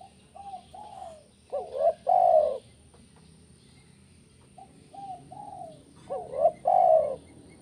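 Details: Spotted dove in the 'kuk 1' style, meant to make birds sing: soft short coos lead into a rising hooked note and a long low coo, the phrase given twice about five seconds apart.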